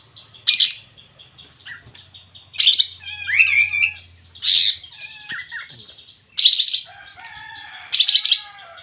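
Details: Sooty-headed bulbul singing vigorously: loud burry bursts spaced every two seconds or so, a tumbling phrase of wavering whistles, and a low steady hum in the background.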